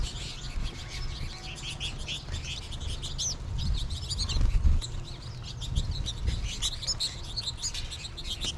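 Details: American goldfinch flock in late March, many birds calling from trees overhead; a dense chorus of high, short twittering chirps and rising notes, continuous throughout, over low rumbling background noise.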